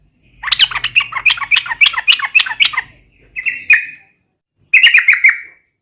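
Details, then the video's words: Yellow-vented bulbul singing to lure other birds into song: a fast, jerky warble of repeated notes, followed by two shorter liquid phrases, with a faint low hum underneath. "SUARA trucukan gacor garuda pancingan trucukan agar cepat gacor"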